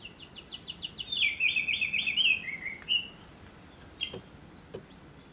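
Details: Lovebird lure recording of long trills (ngekek): a short rapid ticking run leading into a loud harsh chattering trill, then a thin whistled note and a few soft clicks.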